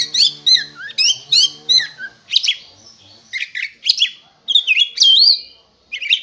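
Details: Oriental magpie-robin in vigorous song: rapid bursts of high whistles and harsh chattering notes, one clear rising whistle near the end, with a faint low hum underneath.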